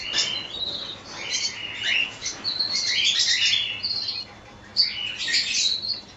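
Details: Colony of cockatiels giving overlapping chirps and short rising and falling whistled calls, dense and high-pitched, with bursts of louder calling and brief quieter gaps near the end.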